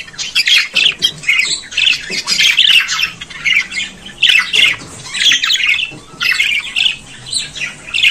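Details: Budgerigar squawking and warbling in uneven bursts of grating notes and quick twitters, each burst about a second long with short dips between, steady faint hum beneath.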